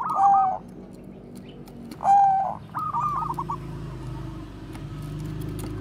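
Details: Bangkok zebra dove performing bekur koar-koar, a song used to lure other doves: two loud coos about two seconds apart, then a softer stuttered phrase fading into a steady low hum.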